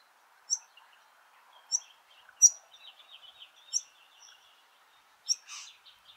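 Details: Two white-plumed honeyeater fledglings at Laratinga Wetlands, South Australia, on 9 January 2021 beg with sharp, high chirps roughly every second over soft twitter, the rate rising as the adults arrive with food.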